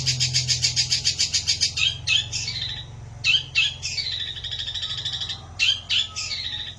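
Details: Long-tailed shrike, a caged songbird, with a rapid rattling chatter, then several squeaky downslurred whistles with buzzy tails, over a constant low hum.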